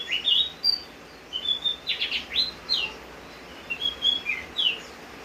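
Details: Javan grey-throated white-eye singing in rainy weather, phrases in short clusters separated by quiet gaps: twittered whistles, a buzzy burst mid-way, and bright upslurred notes, over faint rain hiss.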